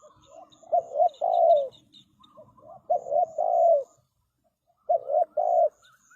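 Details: Spotted dove calling as a trapping decoy to lure other birds. Three phrases of low cooing, each two short notes followed by a longer slurred coo, separated by pauses, with faint high bird chirps in the background.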